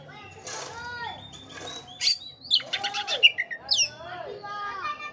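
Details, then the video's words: Oriental magpie-robin lure song to spur a dull bird: lower, warbling downslurred notes at first, then loud high whistles and a quick scratchy chatter midway, with soft descending whistles closing the phrase. "pancingan kacer jitu dan ampuh buat kacer loyo kurang ber gairah.!!!"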